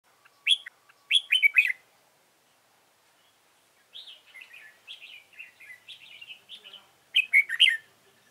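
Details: A trapped red-whiskered bulbul with a soft, fanned tail gives bright, bubbling whistled phrases in short bursts, loud chirpy notes at the start and end with a softer warbling run between.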